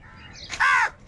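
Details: A crow from a huge gathering fighting over food gives one short, loud, harsh caw with a slightly downward-curving tone, heard against faint background calls.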